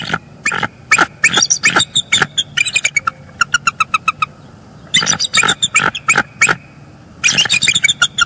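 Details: Bald eagle pair sharing vocals at their nest, caught by a Northeast Florida live camera on an early January morning at the male's arrival for egg incubation duty; dense, rapid, high chattering notes in clustered runs with brief pauses.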